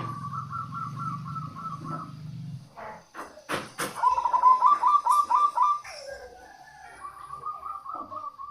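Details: Local zebra dove song for luring wild doves: rapid trilled coo phrases repeated several times over a low hum, broken by sharp clattering knocks, with a louder stuttering coo run midway.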